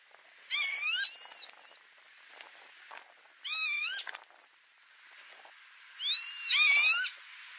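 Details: Wild northern lapwing at tulip fields near Noordwijkerhout, Netherlands, May 2018, giving three harsh slurred calls with rich harmonics, each a quick rising-falling wheeze, spaced about three seconds apart, the last loudest.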